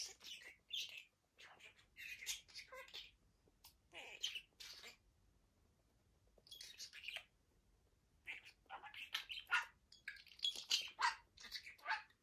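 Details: Pet budgerigar indoors, playing with his toys and seemingly having fun; bursts of scratchy, warbling chatter and short chirps come in uneven runs with brief pauses, some toy rattling between.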